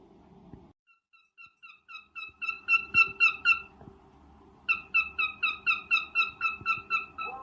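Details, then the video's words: Cockatiel mating call during breeding: a rhythmic series of clear, slightly downslurred notes about four per second, growing louder, a brief break, then the same steady sequence resuming, over a faint hum. "Cocktail mating call/sound"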